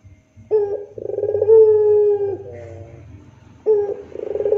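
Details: Puter pelung dove giving a gacor rintihan coo used as masteran tutor song: a short low hoot, then a rolling trilled passage drawn into a long steady moaning note, with the next phrase starting after a pause; faint low hum beneath.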